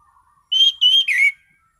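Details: Clear, soothing song of an Orange-sided thrush singing relaxed ngeplong: three sustained pure whistles joined almost without break, the first two level and the last dropping in pitch, preceded by a faint low whistle.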